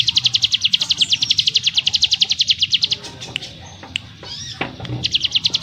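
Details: Mountain prinia (ciblek gunung) in firm, rapid ngebrem song: a long burst of sharp, high, repeated notes, a pause with scattered chips and clicks, then the quick notes start again.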